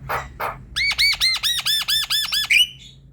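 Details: Javan myna song for prompting a silent myna: two soft rasps, then about nine arched, ringing whistled notes repeated quickly in a steady row, ending in a short rising whistle.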